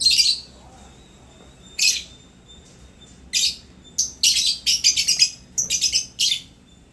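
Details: African lovebird happily playing, chattering with harsh high chirps that start spaced out and then speed into a rapid run of scratchy notes.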